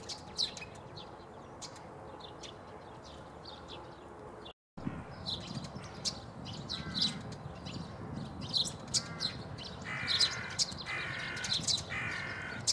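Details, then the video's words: Eurasian tree sparrows at Bundek, Zagreb, Croatia, on 9 March 2015 give short, dry chirps, scattered and irregular, with a busier run of harsher chatter near the end over a low background rumble. "Poljski vrabac (Passer montanus) (Birds of Croatia - Tree Sparrow)"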